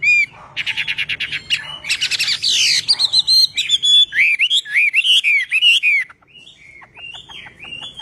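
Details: Chinese hwamei singing in voice training, a fast varied run of loud whistled and slurred notes, rising and falling phrases, some rapid trills and repeated upslurs, with a low hum underneath.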